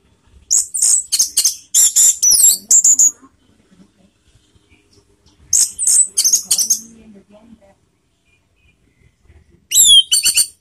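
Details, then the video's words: Orange-headed thrush song for rousing emotion and breeding urge in other birds: three bursts of very high, fast, jumbled chirps and sharp whistles, each lasting one to two seconds, with quiet gaps between. "PANCINGAN ANIS MERAH TELER || menaikan emosi dan birahi"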